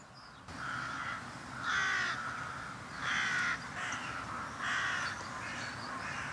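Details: Carrion crows, part of a large flock visiting a winter feeding round on a mild February day in 2021, giving harsh repeated caws in bursts about every one to one and a half seconds, over a steady outdoor background hum.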